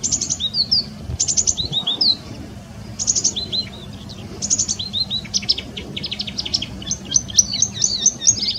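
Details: A marsh warbler's varied, mimicking song: bursts of high buzzy notes and descending slurred whistles in short phrases, ending with a rapid scatter of twittering chips, with a soft low hum behind.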